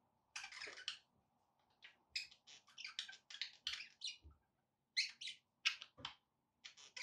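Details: Pet budgerigars chirping to encourage a pet parrot to eat and sing: rapid series of sharp, bright chirps and short buzzy notes in clusters, with brief pauses between groups.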